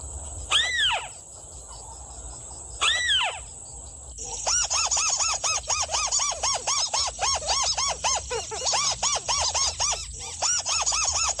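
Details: Sintar api, the red-legged crake, heard while being lured and trapped: two arched downslurred notes, then a rapid, fairly even series of short looping notes, roughly four per second, over faint natural background noise.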